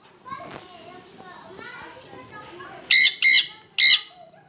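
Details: A pair of jenday conures together: after a stretch of faint background chatter and voices, three loud, harsh, screeching squawks come in quick succession near the end.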